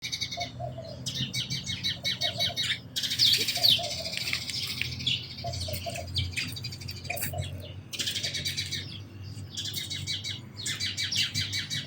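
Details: Sparrows chirping in a busy chorus: bursts of sharp, high chirps that come in dense clusters, pause briefly, then start again, over a low steady background hum.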